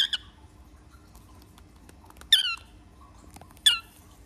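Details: A 2-month-old female cockatiel chick gives harsh, raspy begging squawks spaced a second or two apart while nibbling seeds and asking for help.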